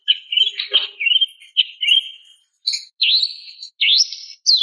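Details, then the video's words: Female greater green leafbird calling a male: a run of warbling chirps followed by clear, rising whistled notes with a sliding upward sweep near the end, each phrase separated by short gaps. "SUARA BETINA MEMANGGIL JANTAN"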